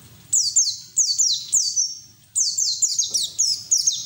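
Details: White-eye song used to coax other white-eyes into singing; high, sharply falling notes in quick groups of two to three, one phrase trailing into a level whistle, brief silence mid-way.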